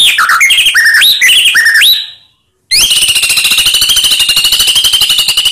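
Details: White-rumped shama lure to rouse silent shamas: a string of rising whistled notes, a brief pause, then a long unbroken buzzy pulsed trill held steady for nearly three seconds.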